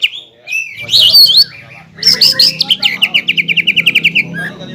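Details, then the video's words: Green leafbird song meant to stir up rival birds, said to contain imitations of the black-capped kingfisher, the white-rumped shama and the oriental magpie-robin: high whistles and chatter, then a fast, even trill of about sixteen bright repeated notes. "PANCINGAN CUCAK IJO GACOR PALING AMPUH MENAIKAN EMOSI LAWAN AGAR BUNYI DAN GACOR"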